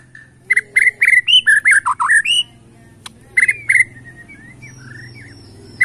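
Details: Bornean white-rumped shama singing in the bowing 'sujud' style to provoke rivals: rapid bursts of loud, varied whistled phrases, rising and falling slurs with sharp high ticks, pausing briefly before another burst, over a low steady hum.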